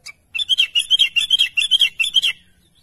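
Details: Vocal sooty-headed bulbul calling its companions with a fast series of around twelve short bubbly chirps, slightly wavering in pitch, running for two seconds after one isolated opening note.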